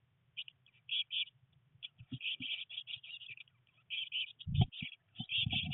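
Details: Three Eurasian blue tit chicks in their nest box on day 19, a rainy day of first flight attempts, giving steady streams of high, rapid chirps, with soft thumps and scuffling from movement inside the box.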